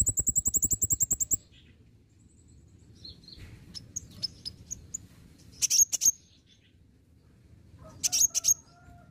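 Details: Olive-backed sunbird, locally kolibri ninja, in a lure recording: a fast rattling series of high pulses for over a second, softer scattered thin notes, then two loud bursts of sharp high chips.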